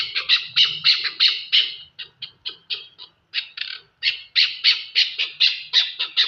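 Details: Chukar partridge, Pakistan: quick runs of rasping, squawky notes in clusters, a short pause near the middle, then a faster resumed burst; notes sound harsh and evenly pitched, with faint low rumble underneath.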